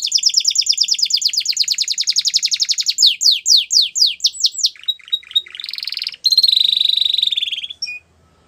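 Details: Canary song opening with a long, very fast trill of about three seconds, then louder slurred notes and broken phrases, ending in a sustained rolling trill that cuts off abruptly.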